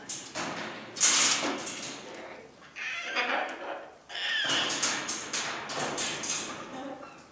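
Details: Cockatoos in family life; a series of coarse, broadband screeches, each lasting about a second, with brief pauses between them and a busy run of calls in the second half.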